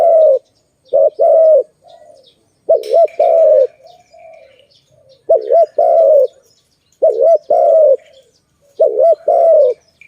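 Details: Malay dove at a trap site cooing in regular phrases, each a rolling double note and then a long even coo, about one phrase every two seconds. Faint background chirps and a brief rustle are also heard.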